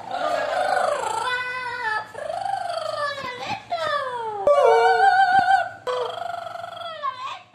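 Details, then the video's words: Parrot singing and talking on a staircase: long, wavering, voice-like sung phrases with sliding pitch, broken by short pauses and a few clicks, in a small indoor space. "Loreto Cantando en la escalera"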